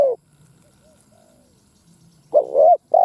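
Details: Decoy spotted dove cooing to stir up other caged doves. A tail of one coo opens, then a wavering throaty note and a steady falling coo follow after a pause, with a faint low hum underneath.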